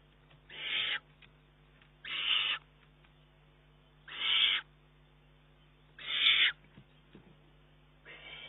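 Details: Loud, coarse hissing screeches from a juvenile Eurasian eagle-owl that snatches food from its mother's bill and pushes her to hunt more, June 2011; five calls, each about half a second, spaced under two seconds.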